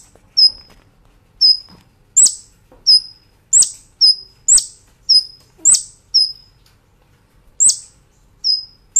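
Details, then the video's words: Brown-throated sunbird, master song for cage-bird training in 'nembak ngerol' style: a steady series of short, very high sharp chips and rising whistles, spaced roughly every half second to one second. "Masteran Kolibri Ninja Gacor Nembak Ngerol"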